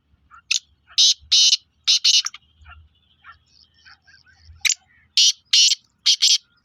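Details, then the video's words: Black francolin calling on 23 February 2025: a harsh, rasping phrase of about five broad, buzzy notes, a pause with faint chirps and low hum, then the grating phrase repeats. "KALA TEETAR KE AWAZ"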